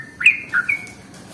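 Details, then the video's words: Sooty-headed bulbul lure song meant to draw in bulbuls: two or three short bubbly whistled notes, the first rising then falling, followed by a level trailing whistle, over a soft low hum. "SUARA pancingan paling AMPUH untuk Trucuk jenis apapun"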